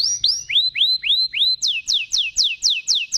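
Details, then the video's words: Canary in long chirping song: loud, clear upslurred whistles repeated about four times a second, switching to a series of sharp downslurred notes at a similar quick pace. "kenari Cuit cuit gacor panjang langsung Nyaut"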